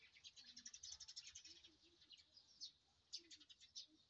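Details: Rice field at morning with several birds chirping: rapid bursts of high, sharp tweets, a busy run in the first half, then sparser single chirps, with faint lower calls in the background.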